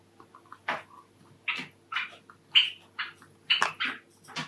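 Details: Caged pet Java sparrow, a Sakura male, singing his courtship song with spaced, buzzy chirps, about one per second, some ending in a clear piping whistle, over a quiet room hum.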